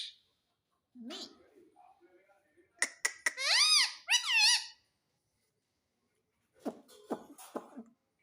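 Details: Indian ringneck parakeet mimicking speech such as mummy and papa: after a quiet human voice, several sharp clicks lead into two loud, arching, squeaky word-like calls, then silence and a few rough, low murmurs.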